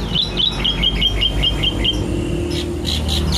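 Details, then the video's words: Male sooty-headed bulbul known for imitating nearby birds such as the Asian pied starling, giving a run of about nine sharp, high whistled chirps at a brisk even pace, then falling silent as background noise continues. "BURUNG KUTILANG SI PENIRU SUARA YANG PINTAR!"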